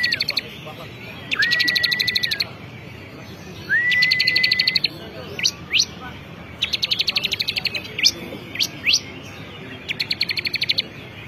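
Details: Champion bar-winged prinia, called ciblek kristal, singing repeated phrases of dense buzzy trilled ticking, some opening with a flat whistle, alternating with sharp rising chirps and short tick runs.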